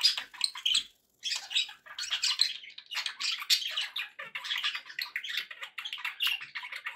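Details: Pet budgerigars, described as happy, keep up a dense chattering warble of harsh squeaks, chirps and twittering notes, broken by a short silence near the start and then running on steadily.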